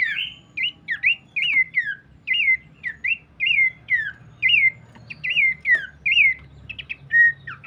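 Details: Abbott's babbler delivering a steady run of clear, down-slurred whistled notes, roughly two per second. A few quicker chips come near the end, over a quiet low hum.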